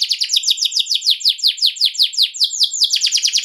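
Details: Atlantic canary in full rolling song used as a lure for other canaries: quick repeated descending whistled notes, several per second, shifting into a smoother held roll near the end.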